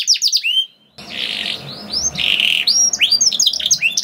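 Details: Canary in energetic song with long rolling trills, played to set other canaries singing: high rising whistled sweeps, a brief pause, then buzzy sustained rolls and rapid upslurred notes.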